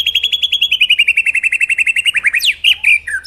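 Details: White-rumped shama song as master audio for training birds. A rapid, steady series of short chirps slowly descends in pitch, then breaks into a few loud swooping whistles.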